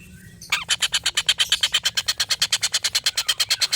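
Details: Sudden onset of a collared kingfisher's long laughing call, kept as training audio for murai batu contest birds: fast, regular, grating notes repeated about seven times a second throughout.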